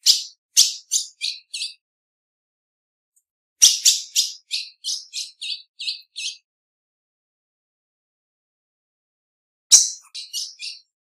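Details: Female ultramarine grosbeak calling in bursts of about six to ten sharp, high chips that drop slightly in pitch, three bursts spread over eleven seconds with long silences between.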